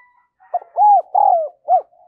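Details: Spotted dove kept as a decoy, cooing in the 'giọng đồng son' voice style to call in wild doves. It gives one short phrase: a brief lead note, then two long, rounded coos and a final clipped coo, all mellow and low.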